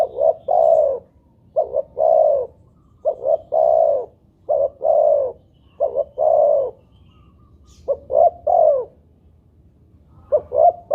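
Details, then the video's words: Calling spotted dove used as a lure to make other doves call. Soft, low cooing phrases of one or two quick short notes and a longer swelling coo recur every one to two seconds, with near-silence between phrases. "pancingan burung tekukur buat derkuku agar bunyi"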